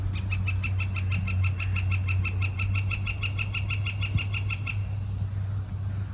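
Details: A northern flicker at the top of a tree, which was also drumming, gives its breeding-season call at Jericho Park, Vancouver, in early March 2021: a long, fast, even series of loud, ringing notes lasting about five seconds, over a low rumble.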